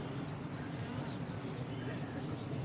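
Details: High, clear saffron finch phrase from the 'amarillo sin cierre' class at the Ciudadela interclub cup, 8 March 2014: four sharp descending notes, a fast level trill, then a single slurred note, over quiet room noise.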